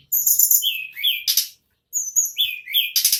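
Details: Ashy tailorbird, described as mountain tledekan or sulingan, singing in the non-stop ngerol style: high thin whistled phrases with buzzy downslurred notes, then a burst of dense chattering, a short pause and a repeat of the phrase.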